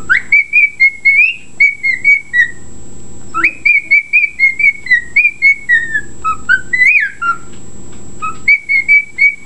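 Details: Whistled reveille from a pet bird: a fast series of clear, even notes in phrases, with one sharp upward swoop and a dip to a lower note, against a faint hum.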